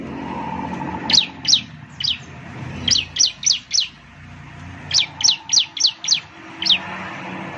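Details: Ciblek bird lure: rapid groups of high, downslurred chirps, four or five per burst, over steady low traffic-like rumble.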